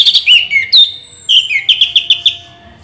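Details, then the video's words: Orange-headed thrush delivering rolling 'ngeroll' song, loud warbled whistles slurring down then repeated in a fast even run of bright notes that fades at the end. "Anis merah ngeroll BoCOR"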